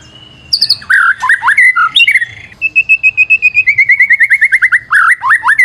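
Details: Lure song of a white-rumped shama, mixing slurred whistles and sharp notes, then a long even series of about twenty clear repeated notes before more swooping phrases.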